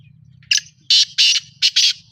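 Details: A black francolin in Pakistan gives a harsh, grating call of five loud rasping notes in quick, uneven succession, over a faint low hum.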